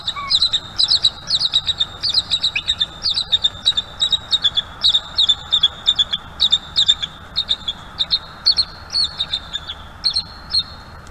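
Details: American bald eagle at its nest, watched by a live nest camera, a male calling for his mate on a day of mating and nest defence against another eagle; high, thin chittering notes in rapid, uneven bursts, repeated throughout.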